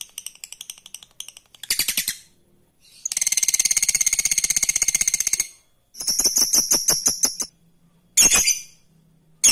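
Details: Lovebird ngekek song meant to provoke rivals: bursts of high, rapid chattering trill separated by silent gaps, with one steady run of about two seconds in the middle and short clipped fragments around it.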